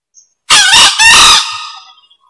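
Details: Hoarse crow of a green junglefowl, used as a lure sound: two loud, grating bursts about half a second apart, the second tailing off gradually.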